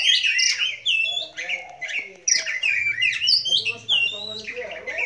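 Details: Oriental magpie-robin (kacer) singing at a Sunday gathering of kept birds: loud, varied phrases of whistles and harsh chattering notes, fast and overlapping, with a low background hum and other birds around.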